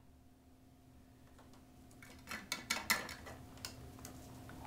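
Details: Quiet indoor room with a steady hum and a few sharp clicks and taps, no animal voice heard.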